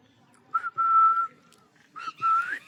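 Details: Green parrot whistling: a brief note followed by a long level whistled tone, a short gap, then a burst and another held whistle rising slightly at the end, over faint background rustle.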